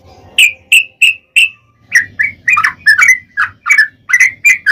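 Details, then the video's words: Sooty-headed bulbul singing in the long rapid 'ropel panjang' style, used as a lure to make other bulbuls sing: four clear slurred chirps, then a quick run of sharp, varied chirps repeated about three per second. "trucukan gacor ROPEL PANJANG pancingan trucukan agar bunyi"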